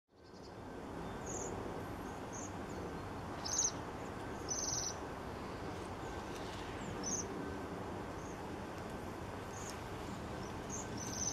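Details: Waxwings recorded in Banbury, Oxfordshire, on 3 January 2017: short high ringing trills scattered through the recording, several clear bursts and fainter ones, over steady low background hum.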